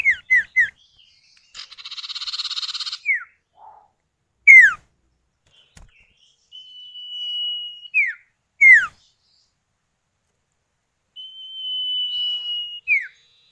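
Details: Common iora, locally sirtu or cipow, a male and female pair answering each other, used to prompt other birds to sound: sharp downslurred whistles, a buzzy rattle, and two long level drawn-out whistles, each ending in a falling note.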